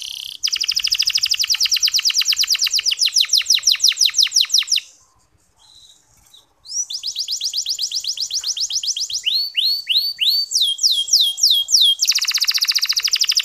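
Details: Clear, long-lasting local canary training song for rousing male canaries: extended fast rattling trills, a brief pause, then rising slurred whistles, crisp descending sweeps and a final buzzy phrase.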